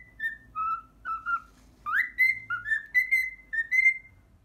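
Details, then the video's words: Learned Pythagora Switch theme whistled by a pet cockatiel, slower and softer, with pure sliding notes, one sharp upward swoop, then a run of rising whistles over faint low room hum. "ミロのピタゴラスイッチ耐久60分｜Milo's Pythagorean Switch Endurance 60 min."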